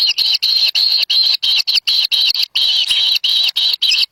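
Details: Wild kingfisher nestlings begging as an adult brings a black lizard; clear harsh squealing notes repeated about three times per second, separated by short silences.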